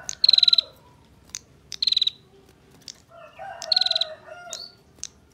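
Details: Female bar-winged prinia with tight ngebren ngetir churring, master song for training songbirds: three loud rapid pulsed high bursts of about eight beats, with sharp single clicks and some lower chattering between.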